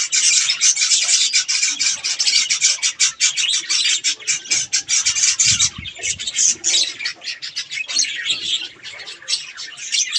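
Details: Budgies feeding on strawberries keep up a fast, continuous warble of scratchy chirps and short squawks, several birds calling at once, easing slightly toward the end.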